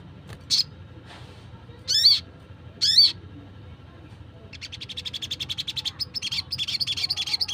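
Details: Wild sunbird calls used to lure birds: three sharp, high, downward-sweeping notes about a second apart, then a long run of fast, evenly pulsed high chips that continues to the end.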